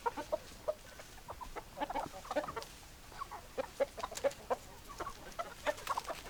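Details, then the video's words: Chicken flock clucking: short sharp clucks repeated several times a second, overlapping birds, steady low background hum. "Chicken Sounds Noises Hens Clucking Roosters Crowing"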